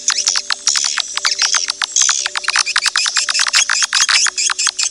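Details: Edible-nest swiftlet lure call played to attract swiftlets: rapid series of sharp, high chirps and clicks, closely repeated, forming a dense chattering train with brief gaps.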